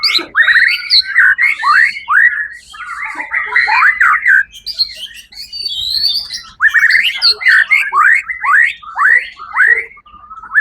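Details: Champion white-rumped shama at a 1 October 2023 songbird event sings rapid bursts of repeated downslurred whistle notes, roughly two per second, in phrases separated by short gaps.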